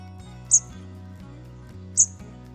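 Hawfinch giving two sharp, very high, clipped 'tzik' notes about a second and a half apart, over soft background music.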